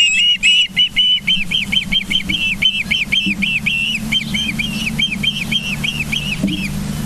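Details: Osprey calling at its nest in Charlo, Montana, 24 August 2023, 09:29: a quick run of high, piping, whistled chirps, evenly repeated about twice a second, over a continuous low drone.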